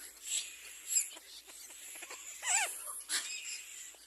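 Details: Little black cormorant during an attack on its own young, giving a single rising-then-falling harsh squawk midway, set against constant high-pitched hiss and faint tapping noises.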